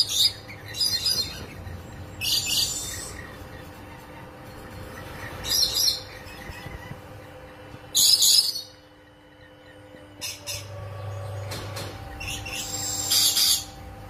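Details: In a cage, mating rainbow lorikeets let out strident, noisy screech bursts every two to three seconds, separated by quieter stretches with a low mechanical hum.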